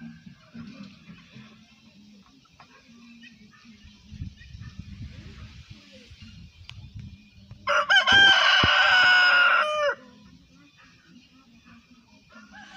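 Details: A rooster crows once, a loud harsh harmonic call lasting about two seconds, preceded and followed by quieter background clucking and low rumbling noise.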